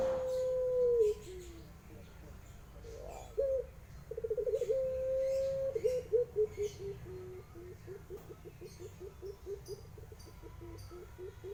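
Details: Barbary dove giving the pelung guguk cooing style: a low steady drawn-out coo, short broken notes, another long level coo, then a long series of quick rolling pulsed notes that slowly fade, with faint clicks behind.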